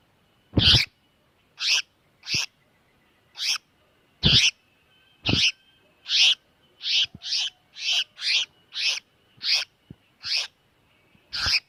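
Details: Tiểu mi đất bird distress call used for trapping: rasping screech notes, first spaced, then speeding into a rapid burst, with a few sharp knocks.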